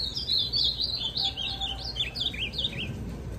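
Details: Caged ultramarine grosbeak, a brownish recently moulted young bird already singing well, gives a quick run of warbled, up-and-down whistled notes gradually descending in pitch over about three seconds.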